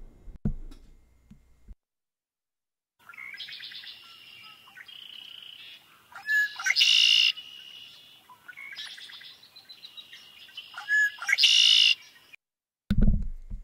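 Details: Red-winged Blackbird (Agelaius phoeniceus) song: two phrases of bright opening notes ending in a loud buzzy trill, remembered as 'I'm over here', about five seconds apart; brief human speech at start and end.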